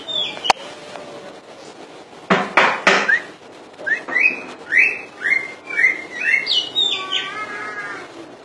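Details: Common iora in Indonesia singing 'full dor': a few sharp clicks, then a run of about nine short rising whistled notes, quickening and climbing slightly toward the end into a brief trilled flourish.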